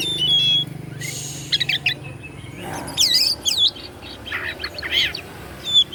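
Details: White-rumped shama (kacer) song intended to rouse rival shamas: a loud noisy burst, then looping whistles and buzzy chattering phrases, with a low hum at the start.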